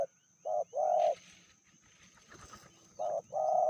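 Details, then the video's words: Spotted dove, a female from Indonesia said to be fiercer than her mate, repeats paired coos, a short note then a longer one, with a burst of rustling and clatter between the phrases. "Betinanya lebih ganas dari jantannya/bl suara sedang"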